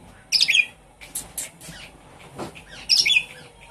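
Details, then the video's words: Javan pied starling song, used to make a silent kept bird sing: two loud, harsh, scratchy bursts three seconds apart, with softer clicks and rustles between. "Suara pancingan burung jalak suren macet bunyi"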